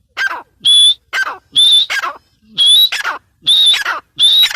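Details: A female grey francolin calls in loud, separate harsh phrases, each opening with a rasping note and ending in a sharp whistled rise. About seven phrases come roughly every 0.7 seconds with short silent gaps between them.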